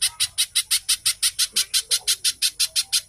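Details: Little spiderhunter in fast, tightly packed song, used as a lure to get captive birds singing and as a tutor for other songbirds: sharp, high, clipped notes repeated steadily, about seventeen in three seconds, with no other clear sounds.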